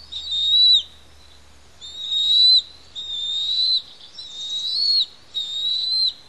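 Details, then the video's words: Young Bald Eagle chicks on a Santa Cruz Island nest at Pelican Harbor calling during a feeding by their parents: drawn-out high whistling squeals, five bursts in quick succession separated by brief pauses. "A Noisy Feast for Four on PH"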